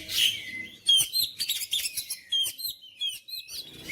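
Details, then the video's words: Song of an oriental magpie-robin kept as a singing bird: a long falling whistle, then quick, varied chirps and clear whistled notes in rapid succession, with short pauses between bursts. "KICAUAN KACER MENGOYAK KACER BISU MALAS BUNYI JADI NGOTOT GACOR"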